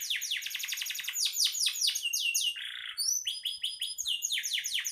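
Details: Vigorous canary song for training songbirds: dense fast trills of falling notes, a short harsh buzzy stretch, then clear upward whistles and another run of quick sweeping notes.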